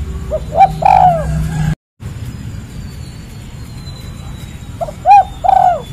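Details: Spotted dove, locally tekukur or derkuku, calling in the 'kuk 3' style: a single mellow, slightly falling coo, a long quiet gap, then a pair of soft coos close together, with low background hum.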